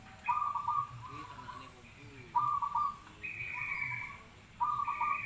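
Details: Zebra dove repeating short, rapid, rolling coo bursts roughly every two seconds, interleaved with a higher, steady whistled tone from another source.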